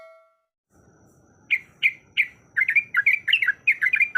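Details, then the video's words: Female yellow-vented bulbul in breeding condition calling to a male in a rapid 'ropelan' rolling style. After a brief electronic tone and a pause, it gives three spaced bubbly notes, then a fast run of chattering, warbled phrases. "Suara Ropelan Trucuk Gacor Yang Ngotot Memanggil Lawan"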